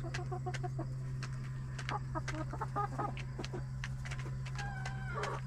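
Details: Backyard hens in their coop during the last half hour before roosting at night, settling down and relaxing: soft, low clucks and murmured stuttering notes, one brief rising squawk near the end, over a steady low hum.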